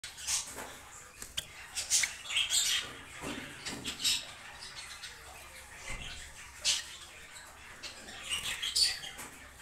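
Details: Silver Java sparrow giving short, high, clicking chips and soft twittering notes in scattered bursts, with light rustling and wing flutters in between.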